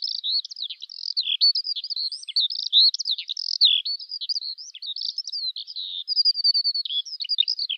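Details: Eurasian skylark song, a ceaseless high chatter of warbled and trilled phrases, including a brief rapid run of even repeated notes near the end.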